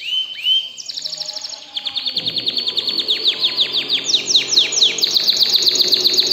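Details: Excited canary song opening with two rising whistles, then a long accelerating run of high downward-slurred notes, several per second, growing louder to the end.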